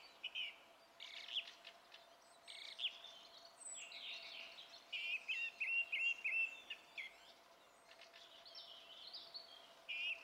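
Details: Song thrush singing on 27 April 2016: varied loud whistled and twittering phrases, with a short note repeated in quick succession around the middle, over a faint steady background hum.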